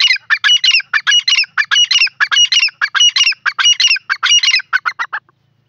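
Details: Female grey francolin giving a loud, rapid run of grating, squeaky notes in clustered phrases, pulsing steadily for about five seconds, the last few notes shorter and quieter before silence.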